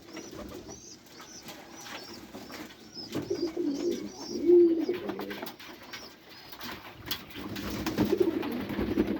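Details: Pet pigeons cooing low and steadily. Thin, high repeated whistles from another bird are heard early on, then fuller rolling coos swell later.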